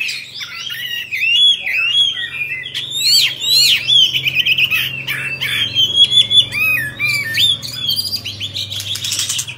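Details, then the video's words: Oriental magpie-robin kept as a cage bird, white-rumped form, singing and fanning its tail: a dense run of sweet whistles, quick upslurs and harsh squawky notes with no pause, over a steady low background hum. "Choè Than Bạch Bạng Hót Múa Xoè"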